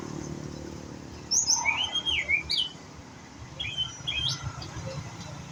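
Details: White-rumped shama, young and learning its song: a burst of whistled notes sweeping up and down, a pause, then a few short upslurred whistles against steady low background noise.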